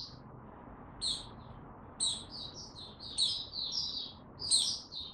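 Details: Male white-eye (mata puteh) on 6 March 2022, warming up before opening into song: short bursts of high chips and twitters separated by brief pauses, then a longer jumbled phrase, faint background noise.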